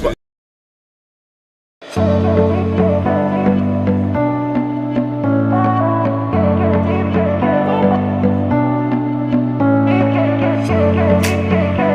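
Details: After a moment of silence, steady instrumental music with a deep bass line and chords changing about once a second; no animal voice is heard.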